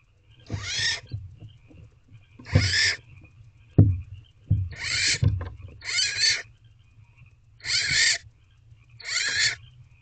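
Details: Barn owl chick in a wild owl box at night, 26 April 2023, loudly demanding food from its mother: six harsh, breathy screeches repeated every second or two, mixed with knocks and scuffling sounds.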